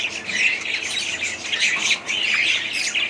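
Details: Short burst of budgerigar chatter: busy squeaky warbling and high twittering notes packed tightly together.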